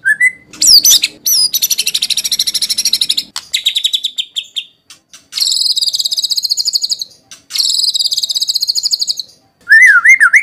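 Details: White-rumped shama song used as a lure to provoke singing and for tutoring: loud varied phrases of rapid buzzy trills, sharp high whistled sweeps, and dense chattering bursts, separated by brief pauses, ending with looping whistled notes.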